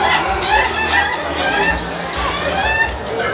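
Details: Laughing chicken (ayam ketawa) roosters crowing at a contest final in Indonesia: several birds overlap in rapid, stuttering, laugh-like crows with bright wavering harmonics, while people talk in the background.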